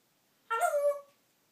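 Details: Pet parrot, a female, talking in a storage room, where she talks more than anywhere else: one short tonal, speech-like utterance about half a second long, with a slight falling contour, in an otherwise quiet room.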